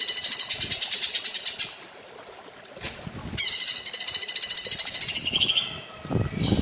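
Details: Grey-crowned green bulbul (cucak ijo) singing a masteran training song in platuk bawang style, mixed with water therapy sounds: bright, rapid high trilled phrases, a short gap, then a longer buzzy repeated trill, with low rumbling near the end.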